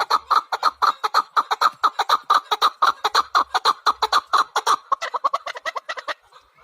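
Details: Fast, steady chukar partridge chuk-chuk-chuk sequence of sharp clucks, about two per second, breaking into quicker, thinner notes before fading out.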